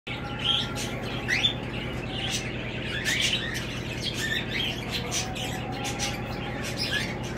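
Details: A cockatiel breeding pair in their nest in a cage with eight eggs gives short, scratchy chirps and squawks over a steady low mechanical hum.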